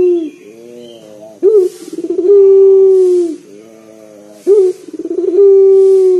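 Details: Local collared dove with a big, booming voice used as a calling lure; quiet rolling purrs alternate with abrupt rising notes and long level coos, repeating about every three seconds.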